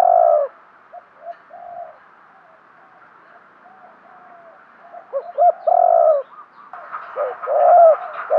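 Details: Spotted dove used as a decoy, calling to draw in wild birds; a loud low coo opens, quiet stuttering coo fragments follow, then another strong coo and a final burst of cooing over a constant soft buzz.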